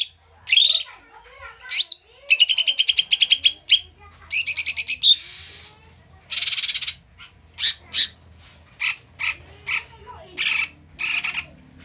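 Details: Koto or cucak mini bulbul in agitated ngamuk song used to lure birds: sweeping whistles, fast stuttering trills, a harsh rasping burst, then evenly spaced clipped notes.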